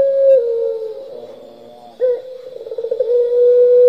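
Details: Lively turtle dove in the pelung style: a held coo slides into a low murmur, then an abrupt new phrase of rapid rolling pulses settles into a long, even note.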